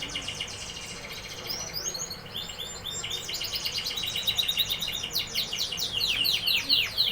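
A canary sings a long, fast string of bright trills and rolling chirps, building in loudness and ending with rapid descending notes.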